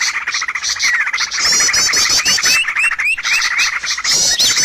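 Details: Bird lure audio for trapping, full of overlapping chirps, quick clicking trills and several short upslurred whistles, with a sharp squeaky note around the three-second mark.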